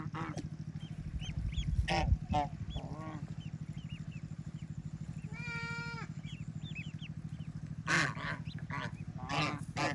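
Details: Ducklings swimming, eating and playing in water near their mother on a peaceful rural farm; loud nasal honking calls with stacked overtones at about 2, 6 and 8 seconds, short thin rising peeps between them, and a steady low hum throughout.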